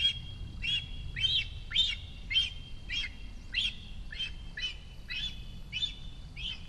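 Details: Food-begging squeals from a cinereous vulture juvenile at its nest in Sierra de Guadarrama National Park, Rascafría, as the female approaches to feed it: about ten arched, harsh high notes in under seven seconds, spaced unevenly.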